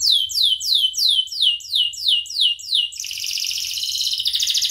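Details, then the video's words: Canary song used to train other birds: a slow series of clear downslurred whistles, roughly three each second, then a switch into a fast high buzzing trill. "SUARA KENARI GACOR UNTUK MASTERAN | Canary Bird Training"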